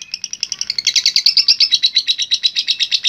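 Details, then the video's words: Long ngekek from a lovebird, a local term for its extended chatter: quick pulsed chirps that build from soft to loud within a second, then run on as an even, rapid, shrill rattle. "Love Bird Gacor Ngekek Panjang"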